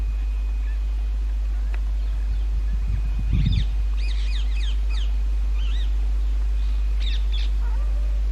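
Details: Indian ringneck parakeets at natural nest holes in an old railway bridge during the summer breeding season; scattered harsh, arched screeches come in short bursts midway and again near the end, over a steady low rumble.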